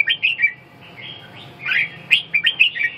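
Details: Red-whiskered bulbul singing, a series of short warbled, slurred whistled phrases rising and falling, delivered in quick bursts with brief pauses between them.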